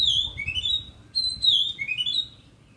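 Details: Oriental magpie-robin singing loud, clear whistled phrases that slide down and then climb in stepped notes, repeated twice in under three seconds, with little background noise.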